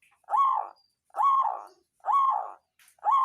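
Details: Local zebra dove of songgo ratu type, a lure call meant to excite rival birds and get lazy birds singing: loud rolling coo phrases repeated a little faster than once per second.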